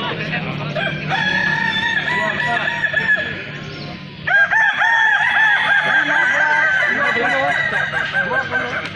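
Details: Festival of Balenggek chickens in Kota Solok, with roosters crowing continuously in long, undulating, multi-part crows. A brief lull comes midway before a louder burst of overlapping crowing resumes.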